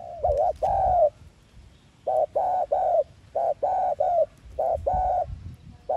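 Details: Spotted dove decoy bird giving a 'thúc gù' lure call used for trapping wild doves: low hooting coos in short paired bursts, then gaps of silence, repeated three times.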